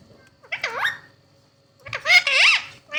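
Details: Talking Indian ringneck parakeet pair: two short speech-like phrases of bending, wavering tones, one dipping and rising, then a louder, longer warbled phrase after a silent gap.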